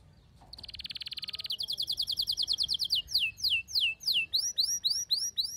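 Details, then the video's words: Canary kept at home, female calling to mate with a male singing; a fast buzzy trill runs about a second, then evenly repeated high chirps slowing into loud downward-swept whistled notes, roughly three a second, quiet background. "صوت طلب إنثى الكناري التزاوج مع غناء فائق الروعة لذكر "canary""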